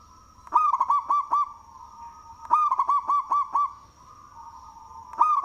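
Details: Zebra dove of local stock, loud-voiced, in full song and suited for luring: three phrases of five rapid, bubbling cooing notes, each about two seconds apart, over a soft continuous hum and a constant high-pitched whine.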